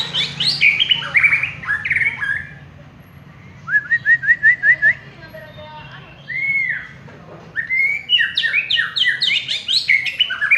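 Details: Contest-winning white-rumped shama: loud, varied warbling phrases, a string of short rising whistles repeated quickly, a single drawn-out arched whistle, then a long, complex burst of chattering and whistled notes.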